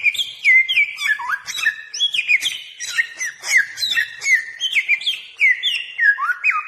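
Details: Indonesian bare-throated whistler recorded as a decoy song for attracting other birds: lively stream of bright whistled notes, repeated downward slurs and quick upswept chips, dense and uninterrupted.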